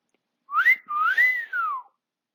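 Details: Indoor whistling by a pet male African grey parrot, 20 August 2022: a smooth, wavy tune that rises, dips, climbs again, then glides downward over about one and a half seconds.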